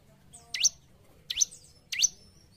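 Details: Three well-spaced, high chirps from a bar-winged prinia, each a sharp downward-then-upward swoop, from a recording for training caged birds kept in groups; background otherwise quiet.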